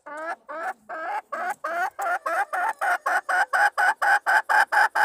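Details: Red junglefowl hen calling to lure a wild male, recorded 26 March 2020: a loud series of short harmonic clucks, first uneven and lower, then speeding into a steady rapid cackle of about four notes a second.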